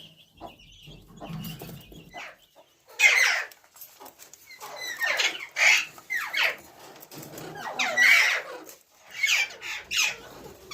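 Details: ['Ringneck parrot delivering a string of raspy, descending squawks at irregular intervals after a quieter opening, with faint low background noise.']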